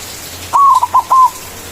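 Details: A white zebra dove sings manggung to call rival doves, used as a lure: an extended coo followed by two short notes and a final held, gently falling coo.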